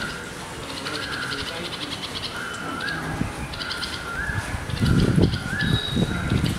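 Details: Alarm calling by red-vented bulbul parents protecting their 10-day-old fledgling on its first flight: repeated harsh, slightly rising notes, with loud low rustling and thumping noise in the second half.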